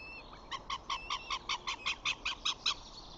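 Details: Flamingo chicks at a nest on 14 June, five self-feeding as the father flies in and two dominant chicks kick off their siblings; a quick series of eleven harsh, evenly spaced calls, about five per second, over faint background hiss.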